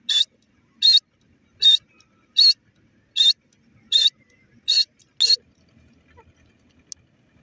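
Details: Teetar, or francolin, calling in loud, clipped, high-pitched notes: eight evenly spaced bursts roughly every three-quarters of a second, followed by near silence.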